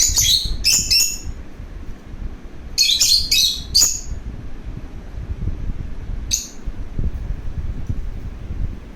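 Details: Lovebird kept as a pet, calling because it wants to play. Shrill clustered chirps come in quick runs of two or three, then a pause and a lone chirp, all high-pitched and piercing.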